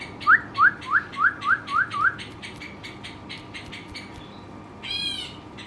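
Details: Kept as a pet, a Western rock nuthatch whistles seven sharp upslurred notes in quick succession, then falls quiet beneath soft repeated clicking, ending with a brief harsh buzzy squawk.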